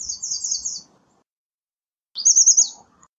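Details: American redstart singing: two short high-pitched phrases of rapid thin notes, the second ending in a downslurred flourish, separated by about a second of quiet.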